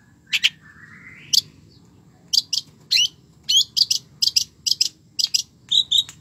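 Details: A long-tailed shrike sings vigorously with varied fill-in phrases. One rising whistled slur is followed by a steady series of short, bright, high double chirps. Low background hum is present.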